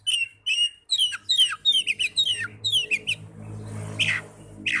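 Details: Young Oriental magpie-robin repeating a series of downslurred whistles about every quarter second, then stopping as a low mechanical hum and a couple of harsh sweeping sounds take over.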